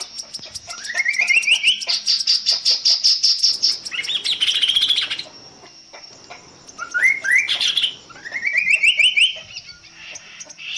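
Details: Kasokaso or tepus gelagah, the Chestnut-capped babbler, singing a long variation: climbing whistled note runs alternating with dense high chatter, several phrases separated by short pauses.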